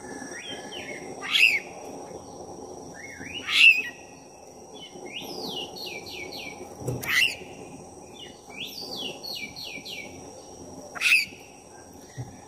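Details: Black-breasted oriental magpie-robin, lively and used to provoke a rival, giving sharp harsh notes every few seconds between series of quick descending whistled slurs, repeated in short runs, with a faint continuous background hum.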